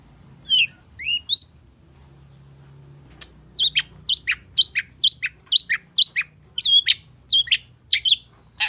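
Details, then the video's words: A long-tailed shrike sings in the gacor full isian style, opening with three rising whistles, then a steady run of sharp, clipped notes repeated about twice a second. "SUARA PENTET GACOR FULL ISIAN || CENDET GACOR"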